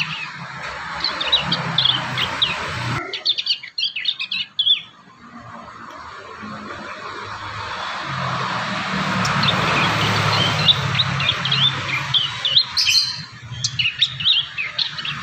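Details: Young prinias rehearsing their song: bursts of high, thin chirps and twitters, broken by a pause, then resuming amid rising background hiss.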